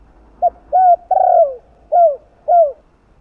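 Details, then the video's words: 'Giọng đồng' cooing with two tail notes from a spotted dove, a stimulating coo to rouse other doves: short hooted start, smooth arched coo, drawn-out falling coo, then two evenly spaced downslurred coos. "Cu Gáy Giọng Đồng 2 Hậu ( 2 Cốt ) Gáy Kích Bổi Nhanh Nổi, Căng Lửa. Tiếng Cu Đấ Gáy"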